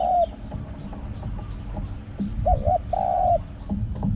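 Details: Spotted dove with a small 'hong' coo that rings through the forest, recorded during decoy calling. A coo tail at the start, then two short notes and a long level coo, with rustling and low thumps.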